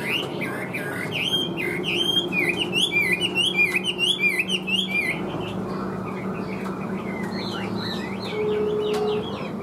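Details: Chinese hwamei, a large caged bird with yellow legs and bill, pours out a fast, rich stream of rolling, looping whistled notes, then pauses before scattered, softer varied phrases.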